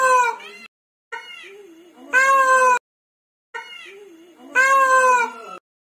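Loud, nasal, wailing peacock calls, a short cry then a longer drawn-out one, heard twice about two and a half seconds apart.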